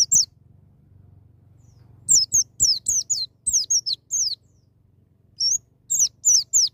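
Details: Wild-style 'ngalas' white-eye song used to get young birds singing: an opening high downslur, then a lively series of about nine falling whistles and a final group of four, with a low hum behind.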